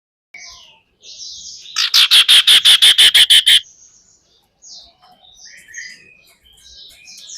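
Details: A female common iora, its call used as a lure to stir other ioras into song, gives a loud, rapid burst of about ten harsh chattering notes framed by thin high whistles, with other faint bird calls around.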